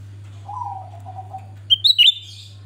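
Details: Grey-bellied bulbul in full song, played to coax birds into singing: a soft low whistled run wavering downward, then a quick cluster of loud, sharp high notes, over a faint steady hum.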